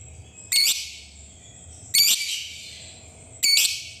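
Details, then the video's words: Lovebird fighter in a lure recording meant to provoke other lovebirds into long chattering ngekek song. Three loud, harsh, bright chattering bursts, each under half a second, spaced about one and a half seconds apart over a faint low hum. "Suara Lovebird Ngetik Di Lanjut Ngekek Panjang"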